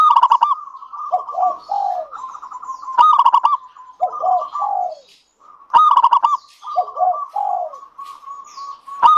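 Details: Singing local zebra dove, Indonesian, used to stimulate other doves into song: brisk rolling coo bursts followed by sliding lower notes, the phrase repeating roughly every three seconds in a regular cycle.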